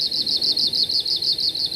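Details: Arctic warbler song in Alaska, a greenish Old World warbler that migrates from Asia and is common in willow areas of Denali National Park: a dry, rapid trill of high, even notes, about six a second, steady in pitch.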